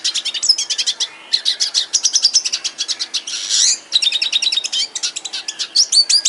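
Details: High, busy song of an aviary red siskin: quick chirps and thin whistled slides, broken by a brief pause and a harsh buzzy rasp midway, then resuming its rapid twitter.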